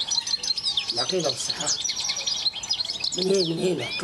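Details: A pair of caged European goldfinches of the Constantine type from Algeria, recorded in 2010, sing bright twittering notes and rapid high chirps. Lower voices and background sounds mix in.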